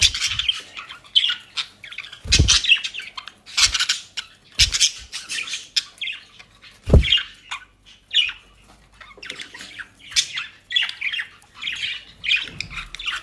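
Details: Pet budgerigars in Den Haag, South Holland, Netherlands, eating dry leaves and grass from a bird shop: scratchy, squawky chirps in irregular bursts, with a few dull low thumps.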